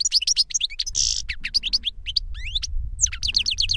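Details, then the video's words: An older goldfinch sings to teach a younger bird, giving fast liquid twitters, a brief harsh buzz and rising slurred notes in a continuous chattering stream, faint low rumble behind. "Older GOLDFINCH SINGING to Teach Younger Goldfinch"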